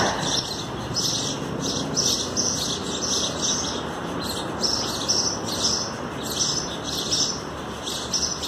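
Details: Sparrow chicks being fed by their parents, recorded 27 April 2019: a steady run of thin, high chirps repeating roughly twice a second, over a constant loud broadband background hiss.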